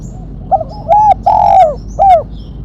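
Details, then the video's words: Spotted dove calling in the sharp 'mercik kuk 1' style used for luring and training: one phrase of a short clipped note, two drawn-out mellow coos falling at their ends, then a final shorter coo. "Burung tekukur suara MERCIK kuk 1 tajam"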